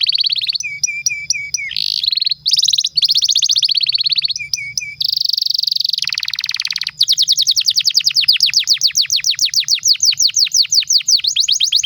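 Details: Pet canary delivering a long, vigorous song for tutoring young birds and stimulating quiet ones: dense buzzy rattles and chattering phrases with brief low notes, shifting into a fast, steady roll of sweeping whistled notes.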